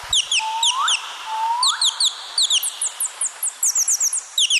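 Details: Two low upward-sweeping whistles sit under a parrot's sharp, high chirps, each dropping quickly in pitch and repeated in evenly spaced bursts.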